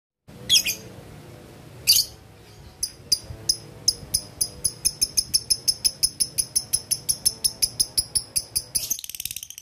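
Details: Male lovebird calling a rival, used as a lure: two harsh shrieks open, then a long run of sharp high ticks in the ngetik style, about four per second, growing steadily louder before a brief rasp at the end.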